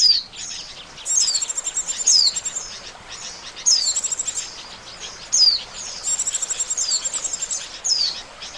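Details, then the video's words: Oriental white-eye call played as a trapping lure: quick buzzy chirp series, each ending in a clear descending slur, repeated roughly every one to two seconds. "SUARA PIKAT BURUNG PLECI"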